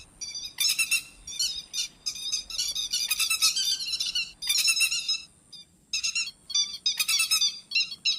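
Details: Grey-headed lapwing lure calls for night-time net trapping: irregular bursts of harsh, clipped notes, some loud clusters and scattered single notes, with one longer pause midway.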